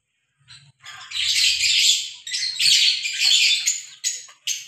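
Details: A pair of Fischer's lovebirds in the open air give shrill, harsh screeching chatter in two long, dense bursts, followed by a few short sharp chips.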